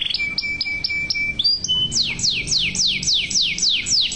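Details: Male yellow canary singing: a quick trill of bright repeated notes over a steady tone, then a run of fast, high, downward-sweeping whistles, about four per second.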